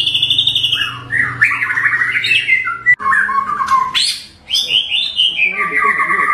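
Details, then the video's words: Varied 'tembakan' song of a white-rumped shama with rough variations: loud whistled and harsh phrases shifting up and down in pitch, broken by a brief pause near the middle, over a low hum. "MURAI BATU Full Tembakan Variasi Kasar Mewah bikin murai batu lain emosi"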